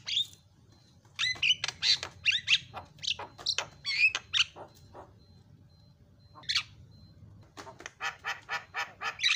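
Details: Javan myna in fast, lively song used to prompt other mynas to sing: a burst of harsh, broadband chattering notes and squeaks, a pause, then a rapid series of evenly repeated rasping notes, over a faint low hum.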